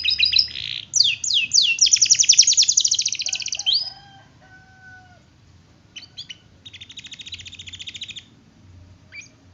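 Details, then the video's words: Canary song on a master training track: fast rolling trill of sweeping notes for about three seconds, then lower whistled notes and a softer, more distant trill. "Masteran Kenari Gacor, Pancingan Kenari Gacor Sulit Bunyi"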